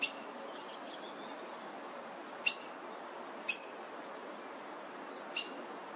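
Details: Black-headed grosbeak adults feeding three nestlings in a laurel, South Eugene, 26 June 2023. Four sharp, clicky notes at uneven intervals, with a constant background hum from pressure washing nearby.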